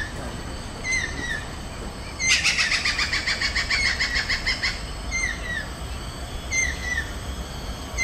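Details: A resident Stork-billed Kingfisher at Pasir Ris Park, Singapore, gives a loud, harsh, rapid cackling burst lasting about two seconds, while short, thin, down-slurred chirps repeat around it.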